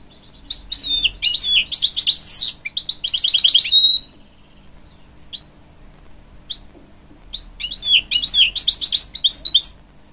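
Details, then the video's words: Hybrid goldfinch, a canary-goldfinch cross, singing to encourage young chicks: two bursts of high twittering with rapid trills and sweeping whistled notes, separated by a quiet pause of about three seconds. "A Hybrid Goldfinch Sings To Encourage Young Chicks"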